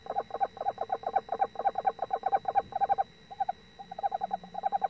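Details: Eastern Screech Owl pair, male and female, calling to each other in their nest box; rapid chattering bursts of stuttered notes, then a short lull and a few fainter bursts, with a soft low hum underneath.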